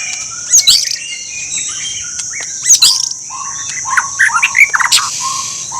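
White-rumped shama singing loud, varied bursts of rich whistles and sharp chirps every couple of seconds, over a steady high-pitched hiss.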